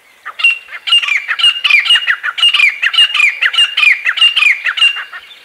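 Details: A pair of Grey Francolins on a tree branch in early morning give loud, harsh, ringing calls, rapidly repeated about twice a second, high-pitched and grating throughout.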